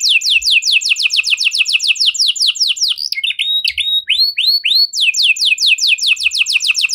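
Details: Canary performing a luxurious ornamented song: rapid repeated downslurred notes forming a fast rattling trill, a brief pause of rising whistles in the middle, then the quick trill resumes.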